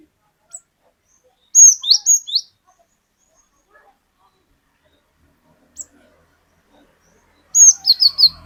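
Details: Cinereous tit, an untrained bird singing openly, used as a lure to set off other birds, with long 'wucit wucit' strings. Two bursts of four high rising whistles with a long quiet gap and a lone faint note.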